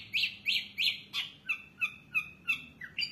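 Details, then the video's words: Long-tailed shrike in vigorous song, rich in varied phrases: a steady series of clear notes about three per second, starting bright and buzzy, then shifting to lower, sliding whistled notes. "cendet gacor isiannya mewah banget"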